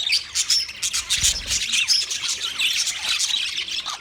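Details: Mating chatter from white male budgies: busy high squawks, whistled squeaks and raspy warbles packed closely together, a brief low thud near the middle.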